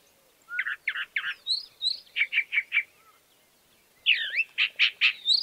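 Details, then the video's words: Song of a chalk-browed mockingbird, short groups of three or four sharp repeated notes separated by pauses, with a few slurred whistles mixed in. "Calandria Grande Canto - Calandria Grande - Chalk-browed Mockingbird Bird Song - Mimus Saturninus"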